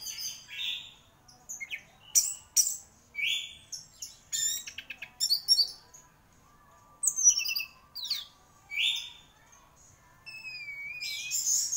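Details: Orange-headed thrush, a gacor champion bird, pouring out a long varied song of sharp chips, buzzy rattles, slurred whistles and mimicked-sounding phrases, ending with wavering downslurred whistles and a high note.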